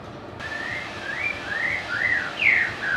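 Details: White-rumped shama giving a soft series of clear whistled notes, each slurred up or down, the later ones higher and louder, over a steady faint background hiss.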